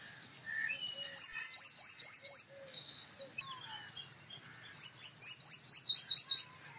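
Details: A male purple sunbird sings two rapid runs of bright, high, metallic notes, roughly eight per run, with scattered soft chirps and low whistles in the background between them.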